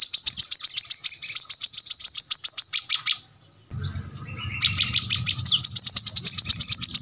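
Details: Brown-throated sunbird singing in the dense 'tembakan rapat' style: a fast train of sharp, high, evenly pitched notes, a brief pause near three seconds, then renewed bursts over a low hum.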